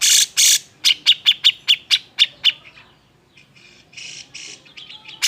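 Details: Grey-cheeked bulbul (cucak jenggot) giving an agitated song meant to provoke other birds into singing: two harsh rasping bursts, then about eight sharp, evenly spaced chipping notes, a pause, and softer buzzy rasps.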